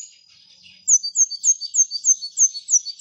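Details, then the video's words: Brown-throated sunbird giving a gacor masteran song: after a quiet start, a fast even series of thin, high downslurred whistles, about three per second, running to the end. "Kolibri Ninja Gacor Masteran"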